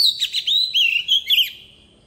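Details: Oriental magpie-robin decoy bird in wild-forest voice, sung to coach young birds: fast run of warbled whistles, trills and downward slurs over about one and a half seconds, then silence.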